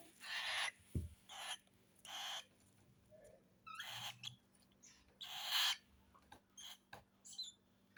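A young cockatiel gives harsh, hissing begging calls in short repeated bursts while being fed.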